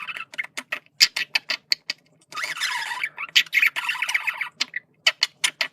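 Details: Communication sounds of a male budgerigar, a parakeet: quick dry clicks and chirps at a steady patter, then a sustained scratchy, wavering warble lasting about two seconds before the clicks return.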